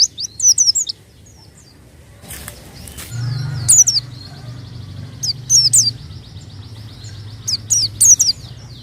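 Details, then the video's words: White-eye singing as a lure for untrained birds: short bursts of high, sharp descending chirps separated by pauses, with a brief rustling noise and a steady low hum underneath. "pancingan bunyi burung pleci bahan"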